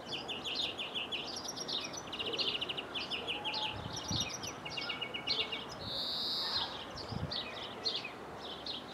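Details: Greenfinch in Jordan, taped through a window, pouring out fast twittering trills and rattling chirps in a run, broken by one long buzzy wheeze before the twitter resumes, over low rumbling background.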